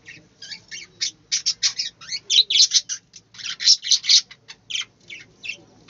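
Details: Budgerigars chattering in an aviary, a dense run of loud, harsh, high chirps and squawks repeated several times per second, with almost no pauses and little other sound.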